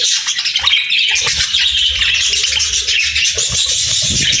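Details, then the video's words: Cheerful chirping of happy budgies within nature sounds: a steady, busy chorus of high twittering warbles and squeaks with light low-pitched knocks. "Happy Parakeets Sounds"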